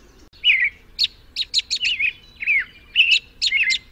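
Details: Lively American robin singing, with slurred downward-curving whistles interleaved with clusters of sharp, high squeaky notes, phrases following each other rapidly.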